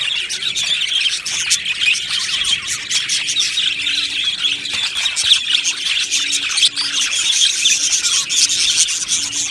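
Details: Happy budgerigars in an aviary colony: dense, continuous chirping and twittering from many birds, with bright high chirps and short squawks overlapping throughout, over a faint steady low hum.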